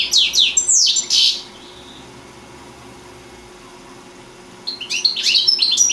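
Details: Singing goldfinch, a four-year-old bird from Sant Salvador de Guardiola: fast, high, chattering trills for over a second, a long silence, then renewed bright twittering notes tumbling quickly.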